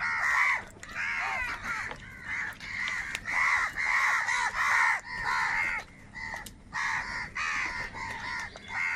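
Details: Huge numbers of crows crying while fighting for food, their rough nasal caws overlapping into an almost continuous clamour, with brief lulls near the middle and end of the stretch.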